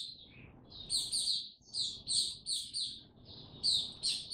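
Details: White-eye song recorded in warm, very humid weather on 26 March 2022: high twittering phrases in short bursts with gaps between, against noticeable low background noise.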